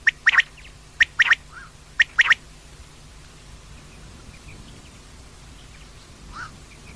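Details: Female common quail calls: three quick pairs of sharp, rasping double notes about a second apart, then near silence with only a faint distant note toward the end.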